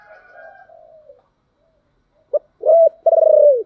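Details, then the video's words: Spotted dove in the thick 'thổ đặc' voice, calling to provoke wild doves to respond fast; a soft, distant-sounding coo fades out, a pause, then a sharp note and a loud rolling purred coo. "cu gáy giọng thổ đặc/ tieng cu gay kich boi nhanh noi"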